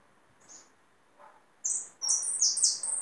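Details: Hooded siskin, a bird the keeper caught himself, singing: after faint notes, a run of bright, high, buzzy twittering phrases with sliding whistles starts at about 1.6 seconds, broken by a short pause, then continues to the end.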